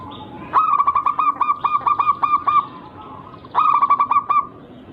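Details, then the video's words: Local zebra dove with a rare, unusual rhythm, singing as a lure to draw rivals into answering. Two bursts of rapid, evenly pulsed low coos, about eight notes and then five, each with a short rising lead-in. "Burung Perkutut Lokal berirama Unik Langka gacor"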